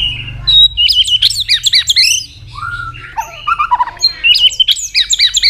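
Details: White-rumped shama singing competitively in a recording used to provoke rivals and fire up birds, with continuous clicking notes and frequent voice switching: loud, varied whistled and warbled phrases, rapid slurred notes and sharp chips, with a faint low hum early on.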